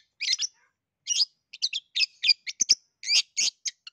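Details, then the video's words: Long-tailed shrike singing energetically, used as a lure to get a shy shrike to sing: bursts of bright, scratchy, chattering notes, with short phrases separated by brief pauses. "SUARA CENDET UNIK GACOR COCOK BUAT PANCINGAN CENDET MALAS BUNYI"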